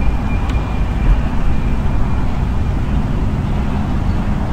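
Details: Steady low rumble of wind and distant traffic outdoors, with no animal voice standing out.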